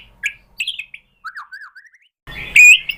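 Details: White-rumped shama lure song: a few soft scattered whistled notes and low slurred phrases, then a sudden loud ringing whistle near the end.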